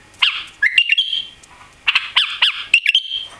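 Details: White-eared bulbul, caged and recently arrived, singing clear whistled phrases with rising and falling notes and a sustained steady whistle, in two bursts.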